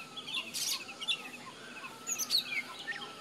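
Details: An Oriental magpie-robin in Nepal gives scattered sharp chirps and short, high whistled notes, some sliding downward, over a steady outdoor hiss and one brief rustling burst.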